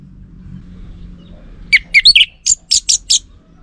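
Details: Orange-headed thrush lure song that males are said to reply to. After a quiet start come about ten short, sharp chirps, some very high, spaced a fraction of a second apart.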